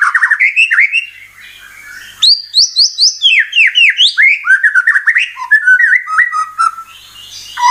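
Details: White-rumped shama lure song for provoking rival birds into full song. Rapid chattering phrases open it, then a short lull, then bright, repeated rising whistles and quick mimicking notes.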